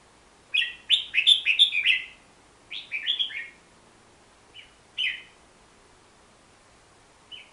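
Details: Hook-billed bulbul, a forest bird of Borneo, delivering a quick burst of chattering warbled notes, a shorter second phrase, then isolated single notes spaced a second or more apart.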